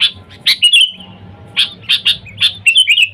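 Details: Lure call of a lively sooty-headed bulbul summoning wild birds: a few sharp chirps followed by rippling whistled notes, repeated twice in quick succession over faint low hum.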